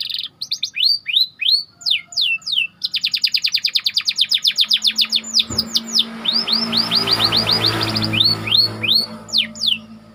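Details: White canary singing as training bait: hooked whistled notes, a long rapid rolling trill and repeated upswept slurs, with a low hum in the later part.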